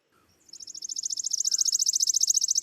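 Worm-eating Warbler: a dry, buzzy trill of rapid, even notes, very high-pitched, sustained for over two seconds and building slightly in loudness.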